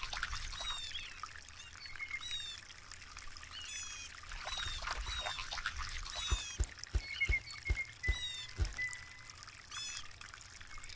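Blue jay giving harsh, raspy calls every second or two, with a thin level whistle, soft trickling water and a few low knocks beneath.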